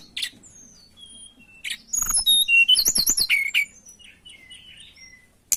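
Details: Breeding-condition lesser shortwing (tledekan) singing to lure a rival: thin high whistles lead into a dense, fast burst of wavering trilled notes, followed by softer scattered whistles.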